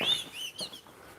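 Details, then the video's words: A distant Common Blackbird sings a brief fluting phrase of clear whistled notes sliding slightly in pitch, fading out in under a second, heard on a sunny walk in Alnmouth, Northumberland. "now can you hear that Blackbird in the distance there"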